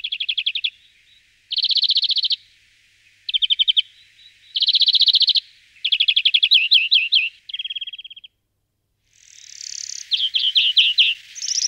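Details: A European greenfinch (Chloris chloris) at Florya gives bursts of rapid, ringing trills, each about a second long, with a drawn-out nasal wheeze near the end.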